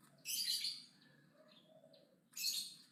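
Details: Aggressive Javan myna singing loudly, giving a long hissing, scratchy burst, then quieter thin whistles and a low note before a second rasping burst.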